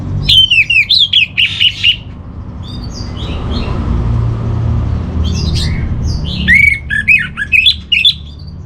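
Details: Orange-headed thrush master song, with loud bursts of rapid, varied whistles and sharp chirps at the start and end separated by quieter faint notes, over a low rumbling background.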